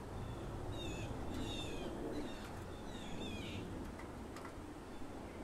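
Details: Blue jay, one of at least two bald jays living in a neighbourhood, calling vocally: a run of short, clear, harmonic notes that bend up and down, several in quick succession, over a steady low rumble of background noise.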